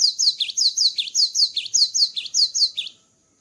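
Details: Energetic cinereous tit song after moulting: a steady, rapid string of about twelve high, ringing phrases, each a falling whistle paired with a lower sharp note, delivered almost twice per second.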